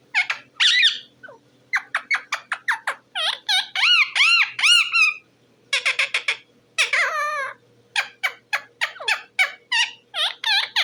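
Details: Talking parrot, possibly an Indian ringneck, delivers varied bursts of squeaky, harmonic chattering notes, some arched and wavering, in clustered phrases broken by short pauses, indoors.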